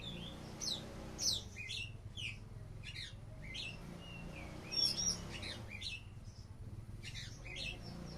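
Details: Oriental magpie-robin kept as a competition bird, singing a varied run of sharp high chirps, quick whistled slurs and short rising and falling notes in scattered bursts, over a constant low hum and background noise.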